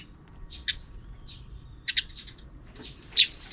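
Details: Sparrows calling in the afternoon, partly out of view of a camera: a few separate bright, short chirps scattered over three and a half seconds, with quiet gaps and a faint low hum beneath.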